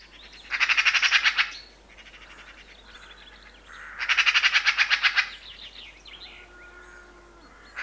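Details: Eurasian magpie giving its loud chuckling rattle: two harsh, rapid bursts of chattering notes, each lasting under a second, separated by quieter grating sounds, with faint bird calls in the background.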